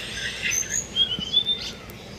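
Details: Tickell's blue flycatcher at a bird bath: a brief run of thin, high whistled notes, some sliding, others short and sharp, over faint background hiss.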